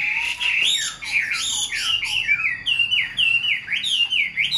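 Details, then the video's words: Hand-tamed Chinese hwamei kept in a cage sings a rapid run of loud downward-slurred whistles, each note repeated about twice a second, rich and ringing. "Chim thuần sách tay hót, đấu tốt - Hoạt Họa Mi"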